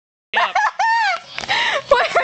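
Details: A female pet Jenday conure, disturbed while trying to sleep and annoyed, gives a rapid run of harsh, nasal squawks and grumbling notes that bend up and down in pitch over about two seconds.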